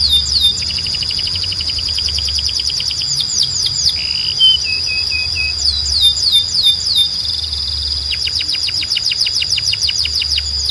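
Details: Belgian canary singing to call other canaries to sing: rapid high trills and repeated sharp downswept notes in bursts, with a steady shrill tone running throughout and low hum beneath.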